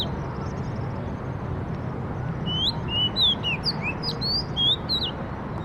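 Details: Songbird delivering a quick series of sharp, slurred whistled notes, rising and falling, starting after about two and a half seconds of quiet hiss and continuing to the end over low background rumble.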